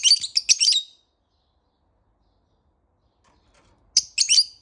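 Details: Morning calls of a pet lovebird: a dense run of shrill, buzzy chirps lasting under a second, a long silent gap, then another quick series of high squeaky notes.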